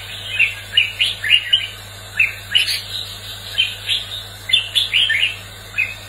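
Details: Red-whiskered bulbul competitive song meant to excite a newly caught bird and train it to sing: lively phrases of sharp, whistled chirps, each phrase of two to four notes repeated about every second over a faint steady hum.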